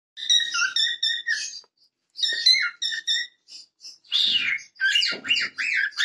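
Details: A cockatiel in a good mood sings a bright, warbling string of whistled notes with quick, chattering trills.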